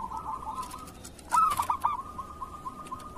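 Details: Local zebra dove in kerot style, used as a master song for other doves: a soft level purring trill interrupted by one brief loud burst of clipped coo notes near the middle.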